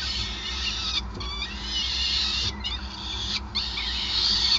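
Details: Peregrine falcon at a nest on the Gasunie site in Groningen, Netherlands, 5 May 2020, during a long feeding: continuous high, harsh harmonic wailing with brief breaks near one and two and a half seconds, over a steady low hum.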